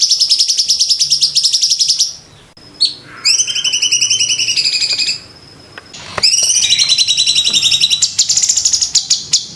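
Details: Sooty-headed bulbul master song for training songbirds, recorded in 2023 in the tight, clear 'tembakan' delivery with pauses. Shrill rapid trills come in bursts separated by brief gaps, with harsh scratchy high notes bridging the phrases.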